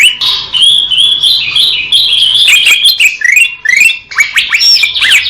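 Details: Greater green leafbird pouring out a continuous, varied warble of slurred whistles and quick upswept notes, fluid and rich, with barely any pauses.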